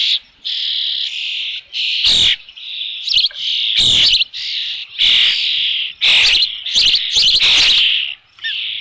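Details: Osprey calling at its nest with a fish at Dunrovin Ranch on 3 June 2018, evening: a near-continuous string of loud, high, grating whistles broken by brief clicks and short pauses.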